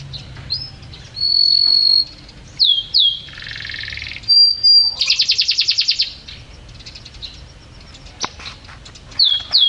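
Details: Champion canary singing in a lively, varied burst: high whistled notes, a sustained pure tone, a buzzy lower roll and a rapid pulsed rattle, broken by short pauses, with sweeping upslurred whistles toward the end.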